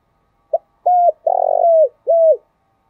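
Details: Spotted dove with a thick, earthy voice, recorded for morning play to get caged doves cooing. Low, mellow phrase: a short hoot, an even held coo, a rough rolling note that drops away, then one more held coo, with clean silence around.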